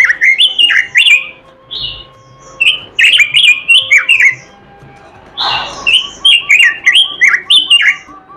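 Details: Oriental magpie-robin delivering a long, energetic song: groups of loud whistled and buzzy notes, sharp clicks, a harsh rasp near the middle, and a faint repeated bubbling note in the background.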